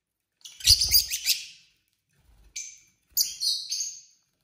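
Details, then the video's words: Lovebirds chirping at dinner time in a group of pet couples: a loud burst of piercing high chirps with a low thump, then two shorter squeaky calls after a pause. "Lovebirds dinner time | lovebird singing & chirping sounds"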